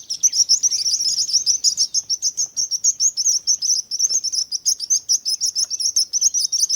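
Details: Soothing bird chirping: loud, high tweets in rapid, regular succession throughout, forming a dense continuous chatter.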